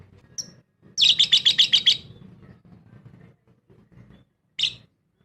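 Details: Lovebird in an aviary colony delivering a one-second burst of about eight quick shrill pulsed chirps, then quiet low murmuring and one final sharp high squeak.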